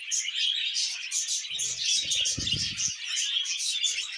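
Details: Budgerigars in the mating and breeding season chatter nonstop in high, twittering warbles with sharp chirps, and a short burst of low rustling noise midway.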